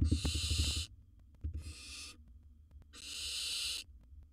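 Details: Three harsh, breathy hisses of about a second each from a wild barn owl in a monitored nest box, the first over a flurry of quick knocks.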